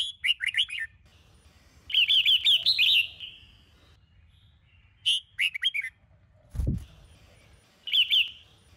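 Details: Red-whiskered bulbul of the Sông Kôn type, caged, singing a morning training song. Repeated bright warbling phrases of three to five rolling notes every couple of seconds, with one dull low thump in the middle.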